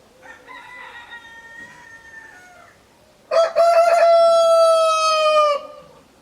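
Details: Roosters crowing: a fainter, distant crow first, then a nearby rooster's loud, sustained crow of about two seconds with clear stacked harmonics.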